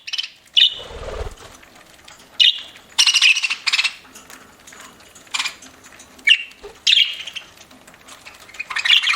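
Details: Pet budgerigar chirping while eating: loud, sharp chirps and buzzy warbled bursts repeated every second or two, separated by quiet pauses, with a brief low thump near the start.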